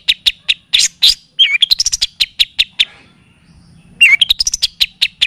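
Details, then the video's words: {'caption': 'Cendet, the long-tailed shrike, singing a tutoring and lure sequence that includes kapas tembak and cililin styles: rapid strings of sharp high chirps, a brief pause, then twisting slurred notes and more quick chirping.'} "Masteran dan pancingan bunyi burung cendet / pentet"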